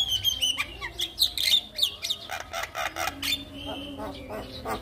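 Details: Javan myna song meant to draw other mynas into singing: thin high whistles and chattering notes, then harsh grating bursts and a sustained piping whistle, delivered in an irregular stream with a faint low hum.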